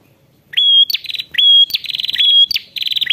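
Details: Ashy prinia calling to a rival gives high, bright phrases: a short level whistle followed by a fast, rattling run of notes, repeated three times in quick succession.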